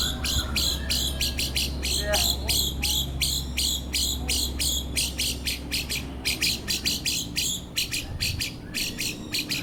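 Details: Young caged white-rumped shama, 14 months old and newly acquired for song training, giving rapid sharp chirping notes at about three per second in an uneven run, over a steady low hum.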